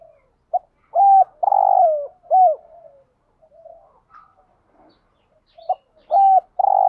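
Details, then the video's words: Spotted dove song used to stir up other doves: two full phrases of a short note, a level coo, a long vibrating coo and a falling curved coo, separated by a gap with faint soft murmurs. "Tiếng chim cu gáy đủ bài dùng kích bổi hiệu quả cao [ thúc gù . gáy gọi, đảo bài ]"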